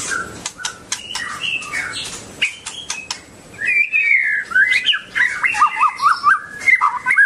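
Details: White-rumped shama, a songster kept as a cage-bird, singing: sharp high clicks and chips at first, then a run of loud, varied whistled phrases, rising and falling, with quick looping notes toward the end.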